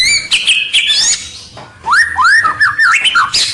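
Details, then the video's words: Lure song of a white-rumped shama meant to bring rivals close: dense, overlapping slurred whistles and squeaky notes, rising and falling, with a brief lull midway. "Suara Pikat Murai batu paling gacor, Bikin lawan mendekat"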